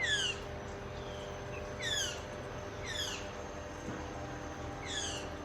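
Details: Blue Jay heard nearby outdoors gives four harsh, downslurred jeer calls, rich and nasal, spaced one to two seconds apart over a steady low hum.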